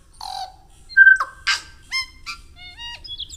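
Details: Tui song at normal speed: a quick, varied run of clear whistled notes, harsh buzzy bursts and clicks, with a sharp loud whistle near one second and stacked ringing tones toward the end. Background is quiet.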